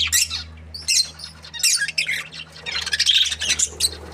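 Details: Happy budgerigars chirping: bursts of harsh, scratchy high chatter with short squawks, broken by brief pauses, over a steady low hum.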